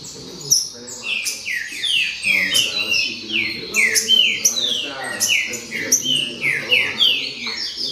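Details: Green-winged saltator chorus of bright, clear descending whistles and buzzy chips, tightly stacked phrases from several birds running without a break, loud and close.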